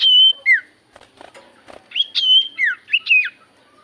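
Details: Lure of Javan white-eye song for other birds: clear level whistles dropping into downward slurs, soft clicks and chips between, then a lively sequence of rising and falling whistled notes.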